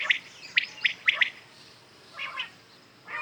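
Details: ['Morning quail chorus of common quails: quick bright triplet notes at the start, followed by fainter, smeared phrases from more distant birds.']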